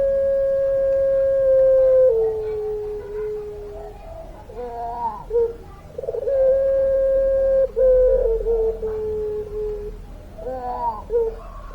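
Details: Long-voiced puter pelung dove singing vigorously: an extended level coo held about two seconds that falls slightly in pitch, followed by wavering, quavering notes, then a second long drawn-out coo and trailing warbles.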